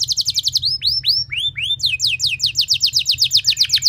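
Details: Canary lure song for prompting other canaries to sing, with quick falling notes, a few slow arched whistles, then a fast descending trill, over a steady low hum.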